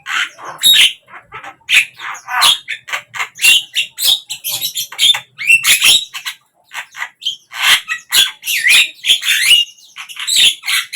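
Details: Javan myna (jalak kebo) singing continuously, a long stream of harsh squawks, clicks, chatter and brief whistles, loud and irregular, heard as a bird singing through the day from morning to evening.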